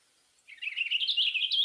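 A Western Purple Finch sings a quick, bubbly warble that climbs gently in pitch. The phrase is smooth and clear with no harsh or buzzy notes, and it is cut off at the end.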